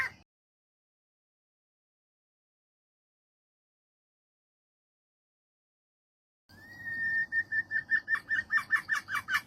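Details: A female junglefowl calling for a mate gives a drawn-out, slightly rising whistled note, then a fast run of sharp, clipped clucks, about four a second.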